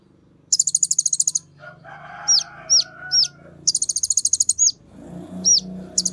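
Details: Olive-backed sunbird (kolibri ninja) singing excitedly as a lure recording for other sunbirds: bursts of rapid, high buzzy trills alternating with sharp down-slurred whistled notes, with a fainter lower murmur in the middle.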